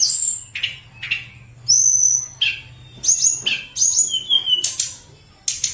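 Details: Tledekan gunung in flute-like song, used as a lure to get lazy tledekan singing: separate bright whistled phrases with short pauses, each a high clear note or quick slur.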